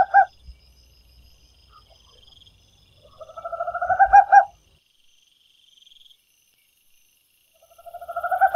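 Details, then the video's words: A Tropical Screech Owl (Megascops choliba) sings a low, purring trill that swells and ends in a few sharp, emphatic notes, and a second trill begins near the end, over a quiet background. "corujinha do mato cantando"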